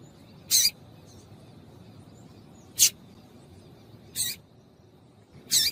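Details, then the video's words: Four harsh, high chip notes from a female papa-capim seedeater, a call meant to make males sing. The notes come roughly every one and a half seconds in a quiet setting. "Piado de Fêmea de Papa capim Vai deixar Seu Papa capim Cantando"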